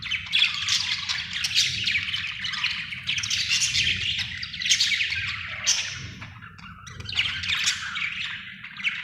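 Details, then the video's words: Budgerigar in a happy mood, chattering nonstop with buzzy, scratchy warbles and sharp chirps, a few louder rising squeaks, faint low background rumble. "Happy budgie chirping sound"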